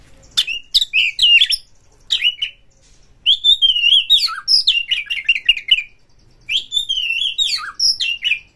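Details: Kacer, the Oriental magpie-robin, in full fighting song to provoke a rival: long, dense runs of varied warbles and slurred whistles, mimicked-sounding trills, then a fresh rich phrase after a short pause.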